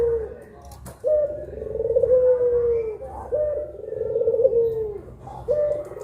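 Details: Two puter pelung collared doves cooing at midday: after a click, long low coos that level off and slowly descend, about two seconds each, with a short pause between.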